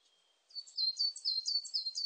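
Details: Coal tit giving a thin, high whistle, then a fast run of about six high two-note phrases that dip in pitch. The phrases come steadily in a clean, quiet setting.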